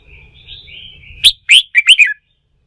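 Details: Red-whiskered bulbul, freshly caught from the wild and being excited into singing for competition training. A soft, thin whistle leads into a loud, fast cluster of four bright, sharply inflected chirps, with a low hum beneath.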